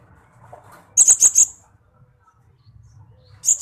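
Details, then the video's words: Blue-crowned hanging parrot song used as a training recording for pet birds: a quick burst of four very high, sharp chirps, a pause, then another burst starting at the end. "suara masteran srindit gacor"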